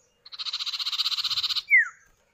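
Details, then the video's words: Common iora, male and female answering each other, played as a lure to get other birds singing: a long, evenly pulsed buzzy trill lasting over a second, then a loud whistled note sliding sharply downward. "Pancingan Burung Sirtu atau Cipow, suara jantan betina bersahutan"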